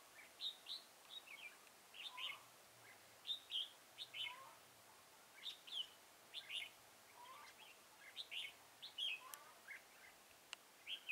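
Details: Red-whiskered bulbul recorded while trapping at Chùa Hương, Mỹ Đức, on 11 November 2017. The bird gives a steady stream of cheerful, whistled, chirping phrases, about one every second, with softer lower notes in between.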